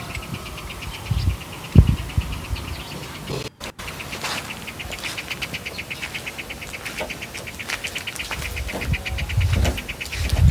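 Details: A Ringed kingfisher (Megaceryle torquata) gives a long, dry, rapid rattle of evenly spaced clicks, steady in pitch, over a low rumble of wind or distant traffic.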